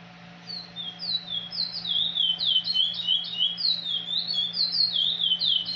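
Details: A chestnut-bellied seed finch (curió) of the 'praia liso do Pará' song type sings a fast, unbroken run of clear, high whistled notes slurring up and down, about four a second, over a faint low hum.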